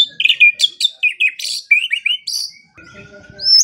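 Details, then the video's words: White-rumped shama training song for silent birds, morning and evening: rapid varied whistled phrases, sharp chirps and slurred notes switching between low and high, ending in a long steady whistle and a rising note. "Pancingan dan Masteran Pagi dan Sore Hari Murai Pendiam Langsung Ikut Bongkar Isian | shama bird"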